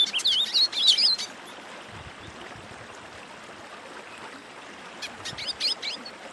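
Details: Wing-barred seedeater singing a warm-up song used to train birds. A quick burst of looping, slurred high whistles lasts about a second, followed by quiet and a few scattered high notes.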